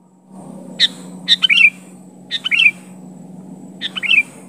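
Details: Sooty-headed bulbul, a gacor kutilang, calling to challenge a rival: four short bursts of two or three quick chirpy notes, each phrase ending in a bubbly downslurred flourish, spaced about a second apart over a steady low hum.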